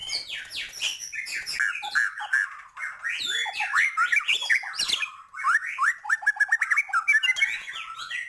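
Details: White-rumped shama in continuous 'gacor' song packed with 'isian' filler to heighten birds' emotion: a dense, varied torrent of whistles, squawky slurs and rapid chattering notes with hardly a pause.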